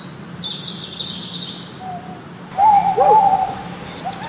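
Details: Snowy owl in a winter forest: loud, wavering hooted notes with a slight rise and fall arrive after a quiet start. A thin, high steady tone sounds early on, and a low hum runs underneath throughout.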